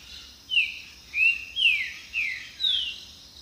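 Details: A green-winged saltator sings five loud, clear whistled notes, each slurring sharply downward, about two every second, over a steady high insect-like hiss; the song serves to attract mates, defend territory and communicate with others.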